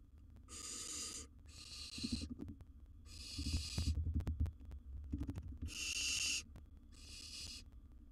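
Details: Barn owl chick at a wild nest box with a big gerbil as prey, giving five loud, noisy hissing screeches in quick succession, each roughly half a second to a second, mixed with low thuds, scraping and clicking sounds of feeding.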